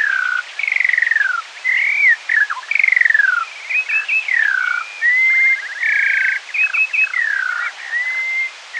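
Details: Half-speed Eurasian skylark song recorded one morning, maybe several birds: a dense, unbroken flow of falling slurred whistles, buzzy trilled patches and quick rising flicks.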